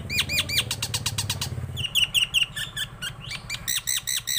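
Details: Nias hill myna, tame and singing a lot, delivering quick repeated hooked whistles and clicks, then a short series of rising and falling whistled notes, over a low background hum.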